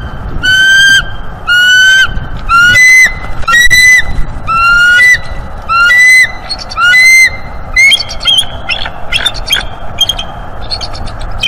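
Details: A bald eagle pair at the nest in northeast Florida, January 2023, doing nestwork and refusing each other's mating attempts. A loud series of slightly falling whistled notes comes about once a second, then turns into rapid, broken twittering chatter.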